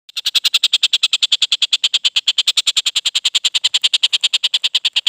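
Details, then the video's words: Young collared kingfisher after its moult, voice described as clear: a loud, harsh, evenly repeated note delivered about three times per second, bright and broadband, continuing without pause through the whole stretch. "Tengkek Buto lepas trotol suara jernih"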